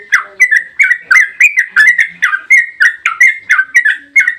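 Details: Long 'ropel' song of a yellow-vented bulbul, played to provoke other bulbuls into answering: a steady run of bubbly, slurred whistled notes, roughly three per second, each dipping and rising, with no other sounds.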